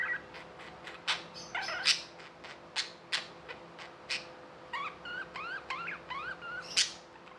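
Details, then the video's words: Tame pet budgerigars, kept as handfed birds in India, chirping with a string of short rising notes and sharp clicks, some rising whistles near the end, and a faint steady hum under them. "Budgies | Talking | Singing | Chirping sounds"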